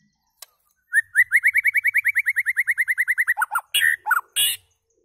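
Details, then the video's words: White-rumped shama delivering a fast even trill of about twenty rising whistled notes, then a few lower slurred notes and harsh high bursts. "White Rumped Shama calls and singing"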